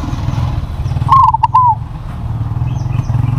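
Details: Crossbred zebra dove with a big voice gives one cooing phrase: a short coo, quick stuttered notes, then a longer falling coo, over steady low traffic rumble.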